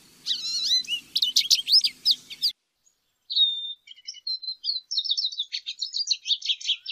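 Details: Lesser goldfinch song with quick high whistles and chips, then a near-silent gap, followed by a steady run of thin, rapid twittering notes.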